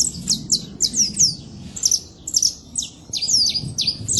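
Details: Free-living saffron finch in the wild delivering a song of sharp, high downslurred chirps in quick bursts, with faint low background rumble.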